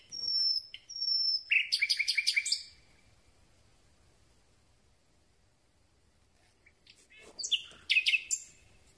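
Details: Common Nightingale song at night, recorded close up with a telescopic boom: two high pure whistles, then a fast buzzy rattle of clipped notes, a long pause, and another harsh, chattering phrase.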